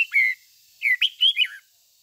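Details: Red-whiskered bulbul lure bird singing its 'ché' song for training. One drawn-out whistled note, then a lively run of four clear, warbling notes sliding up and down, all clean and loud.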